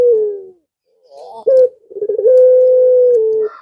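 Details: Male puter pelung dove calls for a female: the tail of a coo, a short sharp note, then a rolling trill that runs into a long, even, low-pitched coo.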